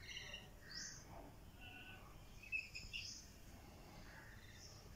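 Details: Lorikeet chicks giving short, high, scratchy calls scattered over a few seconds, some rising sharply, others flat and buzzy, over a steady low background hiss.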